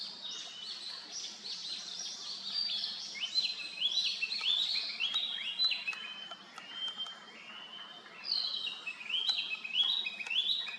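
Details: Narcissus flycatcher singing: a busy run of clear whistled phrases, many rising or stepping upward, some sliding high, delivered in quick uneven bursts with brief pauses. The background is quiet apart from a faint low hum.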